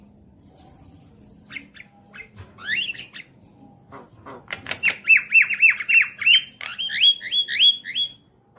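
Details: Javan myna song used as a lure to make a pet bird sing: scattered harsh notes and rising whistles, then a fast run of repeated bright whistled phrases with squawky chatter.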